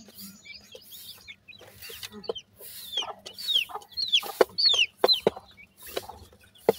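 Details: Grey francolin chicks growing from hatchlings toward independence; thin, high descending whistled peeps repeated in short bursts, with clucking and soft rustling around them.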